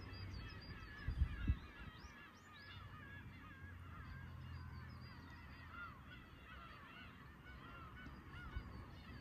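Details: Many Black-tailed Gulls mewing at Horozuki fishing port, Imabetsu, Aomori, Japan, with sharp knocks early on and steady wave noise throughout.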